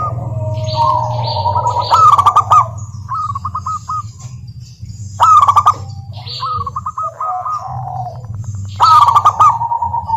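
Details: Local zebra doves cooing as a lure for silent doves: loud stuttering coo bursts about every three seconds, with quick rippling coo runs from other birds in between and a low hum underneath.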